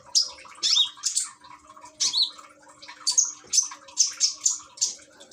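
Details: Caged common iora from Gresik, East Java, Indonesia, singing alongside trickling water therapy; high piercing chirps and slurred whistles, some falling, delivered in lively runs of notes with brief pauses.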